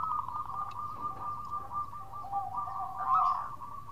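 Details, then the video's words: Local zebra dove calling to companions in 'khong' style: a continuous soft, rolling cooing trill that holds one pitch, with a second lower trill joining and a brief louder swell near the end. "Perkutut Lokal Gacor Suara Khong crewet panggil teman."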